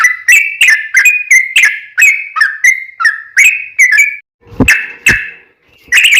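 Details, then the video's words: Yellow-vented bulbul singing as a lure to draw replies from other bulbuls: a string of short, clear chirps, each dropping slightly in pitch, followed by a few sharp clicky notes and a final chatter. "trucukan gacor ROPEL PANJANG buat pancingan trucukan agar bunyi"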